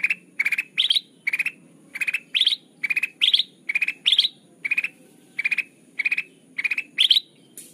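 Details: Lure recording of a kutilang emas, a bulbul, described as chatty and crystal-clear: a steady run of about seventeen quick, bright bursts of rapid notes, roughly two per second, some rising higher, with faint low hum beneath.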